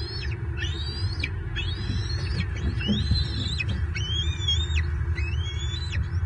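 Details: Bald eagle at a nest camera in Southwest Florida on 24 March 2023, during feeding as the adult male delivers an armored catfish and an eaglet claims it. Piercing whistled notes, each rising then levelling off, repeat about once a second over steady low rumble.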